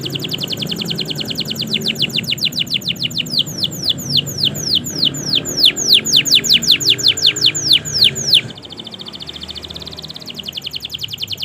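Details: Canary, a long continuous song used as a training song to prompt silent or young canaries to sing: rapid trills of steeply falling whistled notes repeated several times a second, fading into a softer, quieter stretch near the end.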